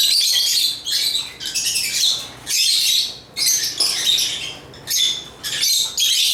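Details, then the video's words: Chattering lovebirds (Agapornis) give rapid squeaky, high chirps in bursts of about a second, separated by short lulls, several voices overlapping. "African Love birds Agapornis chirps singing sounds"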